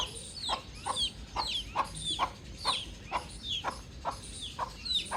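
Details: Baby chick chirping outdoors: bright, high peeps sliding downward, repeated roughly every half second in a steady stream, with soft lower taps beneath and a faint background hush.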